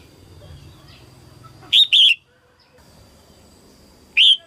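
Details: A female red-whiskered bulbul sings early in the 2022 season to stimulate males. A doubled, wavering whistled phrase is followed two seconds later by one single loud chirped note, with faint background rustle.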